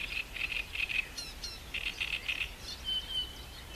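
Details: Green sandpiper recorded on 7 June 2012 at Roszków: two bursts of short, clear, evenly pitched notes repeated in quick series, a few higher faint notes between them, then a thin sustained whistle near the end, over quiet background.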